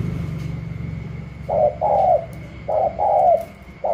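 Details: Spotted dove from Cà Mau, caught wild and newly brought in, cooing against a rival dove in the gù la style: after a rumble of low engine noise, paired coos come in, each a brief note followed by a drawn-out, slightly descending one.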